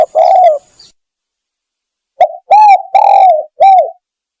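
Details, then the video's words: Spotted dove lure call for drawing doves in: a long rolling coo, a pause, then a phrase of four coos, the last arched and falling away. "Bunyi pikat burung tekukur"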